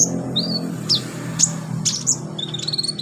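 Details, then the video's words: Olive-backed sunbird training song for young captive birds: a few sparse, sharp high chirps and a short rising whistle, separated by pauses, over a steady low background hum. "MASTERAN KONIN/KOLIBRI NINJA buat konin pemula cepat gacor"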